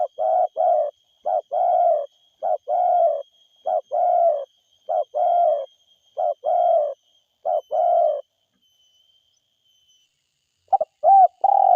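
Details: Spotted dove, a vigorous forest-type caller, cooing over and over: brief double notes alternate with longer rolling coos in quick succession for about eight seconds, then a pause before a fresh run. A thin constant high whine sits in the background.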